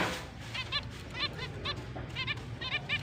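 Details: Short nasal chirps from breeding-season finches, October 29, 2023, come in little clusters of two or three, over a low steady hum.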